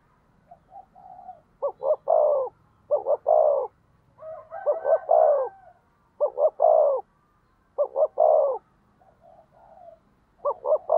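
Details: A decoy spotted dove, used to provoke rivals, repeats its low three-note coo phrase many times at irregular intervals, while a quieter second dove coos in overlap in the background.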